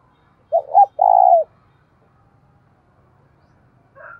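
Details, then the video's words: Spotted dove used as a decoy bird, calling to stir other doves to coo and fight: one low, hoarse phrase of two quick clipped notes followed by a long, steady coo, then a faint higher note at the end. "Chim Cu Mồi - cu gay kich boi nhanh noi gù hieu quả, cu gáy thúc đấu"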